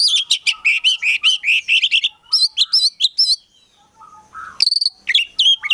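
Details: Oriental magpie-robin in full song, a collection bird kept as a prospect: fast runs of bright looping whistles and chattering notes, a short pause, then more ringing slurred phrases.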